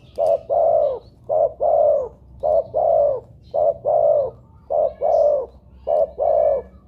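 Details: Spotted dove playback used to prompt other doves to call: low hollow coos in a steady pattern of a short note followed by a longer rounded one, repeated six times about every second, over a faint low hum.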